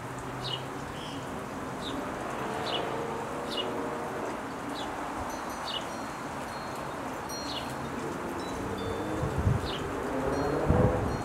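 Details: Two Allen's hummingbird fledglings, just out of the nest and perched on a branch, beg as their mother feeds them: thin, high, sharply falling chips, one or two a second, over soft hiss and low rumble.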